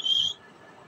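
Grey francolin giving a single loud, high, whistled note lasting about a third of a second, then near silence.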